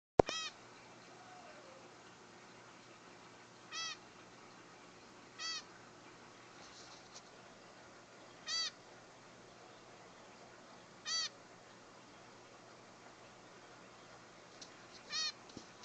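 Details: A hand-raised young male zebra finch, pushed out of the nest by its parents, gives short, high, nasal squeaks every few seconds when it wants to be held.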